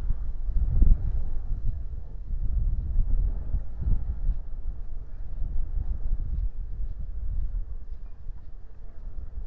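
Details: Low rumbling wind buffeting across the microphone, with steady dull roaring and gusts and no animal voices.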